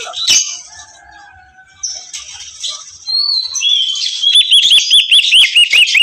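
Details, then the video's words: Greater green leafbird in a raging, shouting mood: scattered noisy rustles and faint whistles, then a fast run of shrill upswept chirps repeated about twice a second. "burung cucak ijo ngamuk teriak teriak nggacor"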